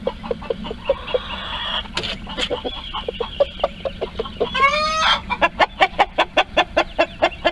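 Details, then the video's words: Chickens in a farm coop, hens and roosters, around egg-laying: rhythmic clucks tick steadily, then one rising drawn-out harmonic scream, followed by fast, evenly spaced loud clucks. "Screaming Chickens, My Crazy Chickens love to Scream, The Funny Noises Chickens Make"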